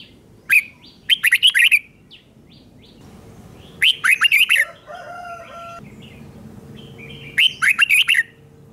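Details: Red-whiskered bulbul song for young birds to copy: three quick bubbly warbled phrases, with a steady tonal humming sound and faint background noise between the second and third.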